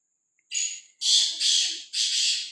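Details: Unafraid black francolin wandering freely gives its grating call: a brief thin opening note, then three drawn-out harsh rasps in steady succession, with faint low murmurs underneath.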